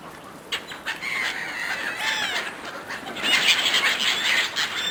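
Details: Seagulls fighting fiercely over food a person throws. Scattered cries build into a loud, crowded chatter of shrill overlapping calls in the second half.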